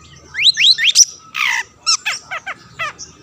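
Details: Long-tailed shrike (cendet) in lively song meant to provoke rival shrikes into singing: rising whistled slurs, a harsh buzzy burst, then a run of sharp downslurred notes.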